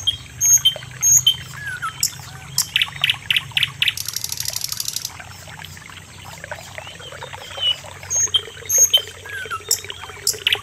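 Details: Common nightingale, known in Indonesia as sikatan londo, singing a varied phrase: clear whistled notes, a run of loud repeated strokes, then a rapid high buzzy rattle, followed by more whistles and sharp chips over a low steady hum.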